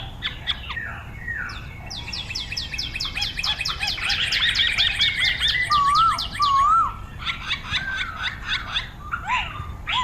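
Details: Chinese hwamei, known locally in Hong Kong as poksay, delivering rapid repeated chattering notes in a fast series, then clear looping whistles and scattered chirps toward the end.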